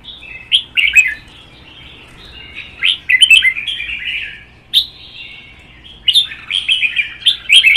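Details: Red-whiskered bulbuls in a singing duel, including a wild-caught adult kept in a cage: three clusters of loud, jumbled whistled phrases separated by quieter warbling, with crisp clicks between them.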